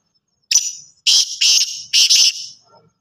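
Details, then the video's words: Harsh, buzzy call of a black francolin: a short lead note, then paired rasping bursts repeated in a rapid series, fading at the end over a quiet background. "kala tetar ki awaz boli masti"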